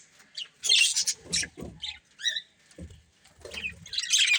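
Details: Pet budgerigars of a breeding pair: scattered separate squeaky chirps and short scratchy bursts with gaps between, ending in a louder burst of high chatter.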